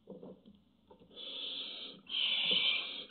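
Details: Barn owls at a nest webcam on 24 June 2017 showing intimidating behaviour: two long, harsh, breathy hisses, the second louder and steadier, preceded by faint low rustling and shuffling.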